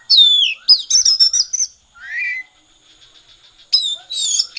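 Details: Oriental magpie-robin singing in the konslet style: loud, rapid, high whistled phrases with sliding and falling notes, a short rising buzzy note near the middle, then a fresh burst of tumbling whistles after a brief pause.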